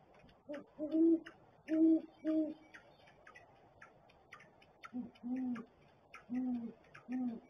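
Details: Pair of great horned owls together at their barrel nest: one bird's deep hoots are answered by a second series that sounds slightly different in pitch, the female's hoot being less low than the male's.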